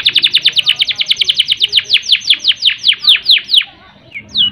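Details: Canary rolling song meant to stir up canaries without breeding urge: a quick trill of high notes slowing gradually into wider downward sweeps, ending with a brief pause and a short rising note.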